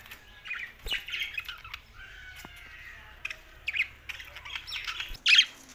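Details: Budgerigars kept in Larkana, Sindh, chattering in scratchy, squawky notes and short warbled phrases, with a steadier buzzy tone in the middle and a loud harsh burst near the end.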